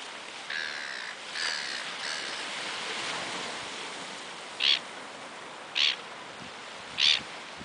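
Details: Gulls in Australia in June, described as quarrelsome fighters, give three sharp, high calls about a second apart near the end, over steady surf and wind noise, with fainter harsh calls early on.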